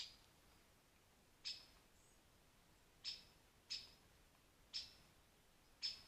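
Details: A rare European pied flycatcher (Ficedula hypoleuca) by a forest pond in Wales calls, giving five sharp, high single notes at uneven gaps of one to one and a half seconds, over a faint background hiss.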